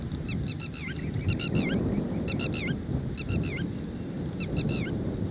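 Red-wattled lapwing giving loud, sharp, ringing calls in quick bursts of several notes, repeated about every second, over a low background rumble.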